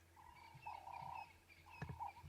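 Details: A Ring-necked dove perched above gives mellow, sustained cooing notes, a long one then a shorter pair, around sunrise on an August morning safari drive in Sabi Sands, over a low engine hum and a brief knock.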